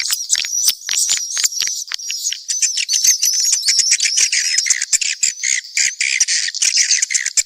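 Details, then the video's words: Swiftlets in a mixed chorus, calling as a continuous high twittering made of quick squeaky chirps and clicks that pulse unevenly throughout. "Sp burung walet campuran"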